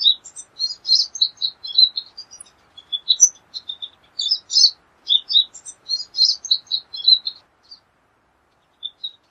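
A pine siskin sings a long, rambling run of high, twittering chirps and buzzy trills, continuous for about seven seconds before a few scattered notes.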